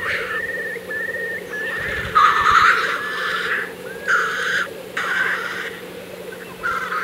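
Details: Black grouse lekking in April 2024: repeated harsh hissing sneezes every second or so over a constant low bubbling chorus, with a few thin whistled notes at the start.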